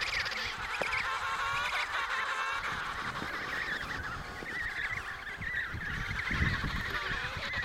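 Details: Chorus from the Riiser Larsen colony of emperor penguins, Antarctica, November 2010, 72°06 S & 15°06 W: many birds give wavering, braying calls that overlap continuously, over steady low wind noise.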